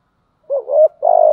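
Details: Spotted dove decoy bird cooing in the 'giọng thổ' style: a short wavering note, then a longer steady mid-pitched coo that slowly falls, with no other sounds.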